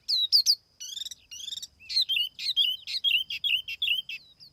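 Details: Laughingthrush known locally as tiểu mi, singing as a lure bird in a clean recording: loud opening whistles, buzzy stacked notes, then a run of fast down-slurred whistled phrases.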